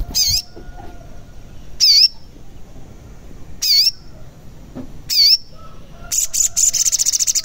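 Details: Sogon, the crimson sunbird, giving loud grating squawks repeated at roughly one-and-a-half-second intervals, ending in a fast buzzy rattling trill. Played to stir lazy birds into singing.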